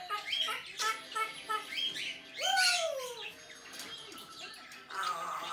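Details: An African grey parrot kept as a pet mixes rapid squeaky chatter with a downward-sliding whooping whistle, part of its repertoire of funny sounds and phrases recorded May 2019.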